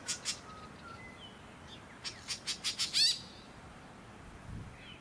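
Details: Sunshine Coast, Queensland, January 2021: two sharp notes from a white-breasted woodswallow, a faint thin whistle, then a rising series of five rasping pulses ending in one loud, grating squawk.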